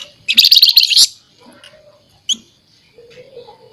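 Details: Loud, harsh buzzy rattle from a scaly-breasted munia (flamboyan) singing in the nyerecet style, lasting under a second, then a single sharp chip and soft low murmuring.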